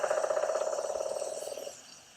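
A woodpecker gives a fast, even rattle of nasal mid-pitched notes, about ten or more a second, fading out after under two seconds.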